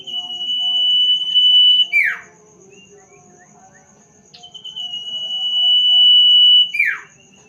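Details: A sirtu bird at night gives two long, level, piercing whistles about four seconds apart. Each lasts close to two seconds and ends in a quick buzzy downward slur, over a quiet steady background hum.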